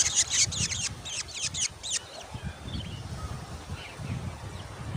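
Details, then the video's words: Black Drongo chicks growing in the nest and demanding more food: a quick series of about a dozen harsh, buzzy rasps over two seconds, then fainter calls amid steady low background rumble. "Black Drongo bird's Growing Chicks Demand More Food!"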